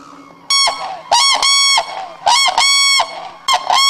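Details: Black-necked crane named Lhasa at Akan International Crane Center, Japan, 8 January 2006: loud, brassy trumpeting calls in short bursts, often paired, several times within four seconds, over a quiet background.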